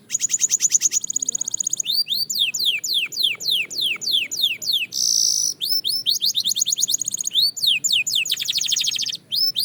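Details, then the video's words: Belgian canary in fast-tempo song for singing practice, mixing a quick high trill, series of swooping downslurred whistles, a brief harsh rasp, and dense rolling trills. "Shocking Canary Singing Progress"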